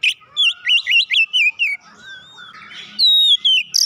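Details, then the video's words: Kacer (Oriental magpie-robin) song for rousing a lazy bird: a quick series of about seven bouncing whistled notes, then softer wavering tones and a long clear falling whistle. "hitungan detik merangsang Kacer malas bunyi langsung gacor"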